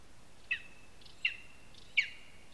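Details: Three piercing, high yelps from a lesser spotted eagle at its nest in a spruce, Zemgale, Latvia, evenly spaced under a second apart, each note ringing briefly. A mouse and a spruce twig are at the nest.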